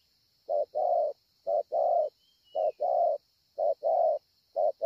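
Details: Spotted dove recorded at Ngọc Hồi on 25 March 2020, cooing well: five evenly spaced pairs of deep coos, short then long, with a thin steady high tone and a faint whistle behind.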